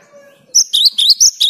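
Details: Cinereous tit in vigorous song, used to spur silent birds to sing: a faint low hum precedes a quick burst of piercing, alternating high whistled notes.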